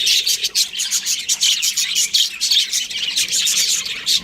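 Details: Several budgerigars chirping: a dense, continuous stream of fast, high-pitched warbled chirps and short tweets overlapping without pause, bright and chattering throughout.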